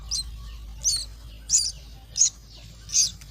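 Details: Myna chicks being fed at the nest give high, short chirping bursts, five calls spaced roughly every 0.7 seconds, with a low steady hum underneath.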